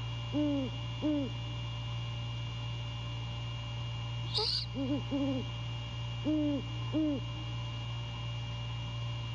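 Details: Great horned owl male calling to his mate at night while checking the nest, courtship season: pairs of low, mellow hoots separated by pauses, with one brief harsh high burst in the middle over a low electrical hum.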